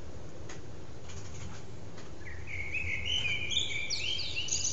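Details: Morning song of a common blackbird in a backyard, a bright fluting phrase entering after a quiet start, rising into squeaky high twitters near the end, with a steady low outdoor hum underneath.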